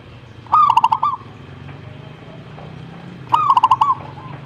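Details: Zebra dove answering in song: two identical bubbling, stuttering coo phrases nearly three seconds apart, each about half a second long, with quiet low background noise.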